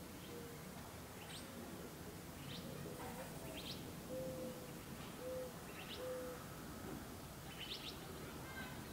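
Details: Gambel's quail hen with chicks in Gold Canyon, Arizona, on 20 May 2011, giving soft, low, short hooting notes about a second apart, with faint high chick-like peeps in between.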